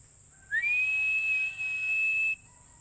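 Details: Philippine eagle call: one long, clear, high whistle that starts with a short upward slide, then stays flat for nearly two seconds and stops abruptly, over a faint constant hiss.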